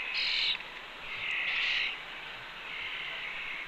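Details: Red-tailed hawk fledgling beside its mother at the nest ledge on Cornell's campus, 2 June 2013, 2:47 PM, captured by nest camera: three drawn-out, hoarse, high-pitched screechy calls, the middle one longest, with a steady background hiss.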